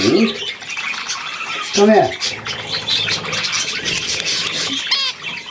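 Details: Young budgerigars at millet, 3 May 2024: high scratchy chattering runs throughout while a person briefly speaks at the start and again near two seconds, ending with a sharp rising squeak.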